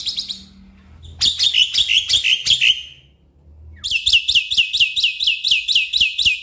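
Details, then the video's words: Black-winged myna song aimed at getting a stressed caged bird to sing: a harsh buzzy chatter for over a second, a pause, then a steady high rattle of quick repeated notes to the end. "Pancingan Jalak Putih Stres Malas Bunyi"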